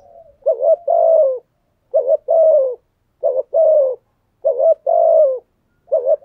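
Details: Spotted dove giving a thúc gù style cooing song, said to provoke wild doves into cooing back; low hollow coos in paired phrases, a short note then a longer wavering coo, five phrases in six seconds, otherwise quiet.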